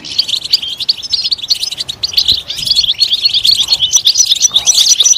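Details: Loud European goldfinch song used to coax goldfinches into singing, with rapid tinkling notes and buzzy trills tumbling together at a steady, lively pace.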